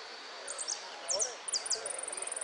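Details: Contest hooded siskin at a final in Merlo, 13 January 2013, singing sharp high downslurred notes in doubled pairs that run into a rapid, steady trill; faint low murmuring beneath.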